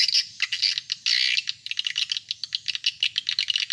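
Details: Swiftlet lure call meant to draw in adult swiftlets: dense, high chattering chirps and rattling clicks in rapid bursts, the first second loud and continuous, then sharper separate pulses repeating several times per second.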